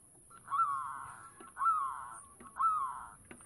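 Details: Local zebra dove song used as a lure for other doves: three drawn-out, slurred cooing phrases about a second apart over a low rumbling background and a steady high hiss.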